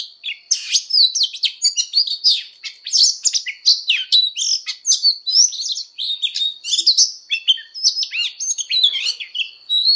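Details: Oriental magpie-robin giving a fighting song during voice training. A continuous, rapid stream of varied high whistles, slurred rising and falling notes and buzzy chips runs throughout, over a faint steady high tone.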